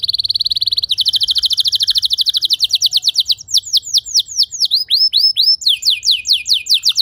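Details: Training song of a canary meant to get other canaries singing long phrases: a dense steady trill, then a faster rolling series, loosening into separated swooping notes and ending in another chattering roll.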